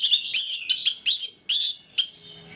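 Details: Bright, high, ringing notes from an orange-headed thrush in morning ngeplong song, used to make other thrushes aggressive; several loud strokes in quick succession, each rich and sharply cut off.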